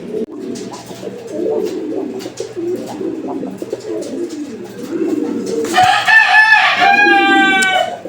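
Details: A pair of pigeons gives low, throaty coos in Uttara, Dhaka, dated 11/05/2025. Near the end a rooster crows nearby with one drawn-out, ringing crow lasting about two seconds.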